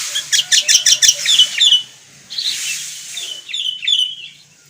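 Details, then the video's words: Kutilang, the sooty-headed bulbul (Pycnonotus aurigaster) of Indonesia: a rapid run of sharp clicking notes, then after a short gap two liquid, warbled phrases of slurred whistles fading out. "Suara Burung Kutilang / Sooty-headed Bulbul"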